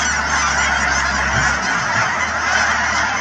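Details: Thousands of Canada geese near Chilliwack, British Columbia, at the Cheam Wetlands, heard as a busy, ceaseless babble of honking calls from the whole flock, a low hum fading out midway.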